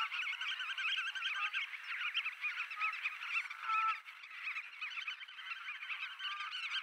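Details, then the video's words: Calls of Black-tailed godwits during mating, recorded 29 March 2024 at Poelgeest in the Netherlands: many overlapping nasal, quavering notes form a steady chorus, with a brief louder burst near the middle. "Grutto Limosa Limosa, paring"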